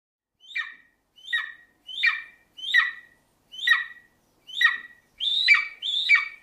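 An eagle gives a series of eight harsh, squawking calls about once every second; the last two are longer and louder. No other sounds are heard.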